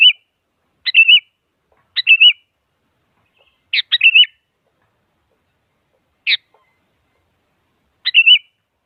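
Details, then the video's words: Sooty-headed bulbul song used to provoke a rival so a silent bird starts singing: short bubbly phrases, each a sharp note followed by a quick warbled whistle, repeated about once a second, then after pauses; quiet background. "Suara Burung Kutilang Mengajak Lawan Agar Bunyi Bikin Kutilang Diam Semangat Berbunyi"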